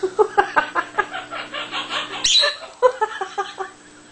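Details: Captive Quaker parrot laughing hard, giving a steady train of short, nasal, harmonic 'ha' notes, about four or five a second, with one higher, brighter burst midway.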